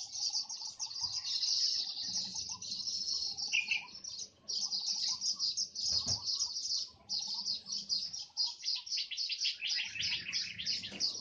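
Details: Weavers competing to build nests in an olive tree chatter in a dense, continuous chorus of high, buzzy, sizzling notes, many birds calling over one another with barely a pause.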